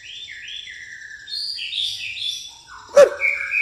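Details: Pastol-style song of a white-rumped shama mixing in fighting-sparrow sounds: looping whistled phrases that rise into a higher twittering run, broken by a sudden loud knock, then clear sustained whistles.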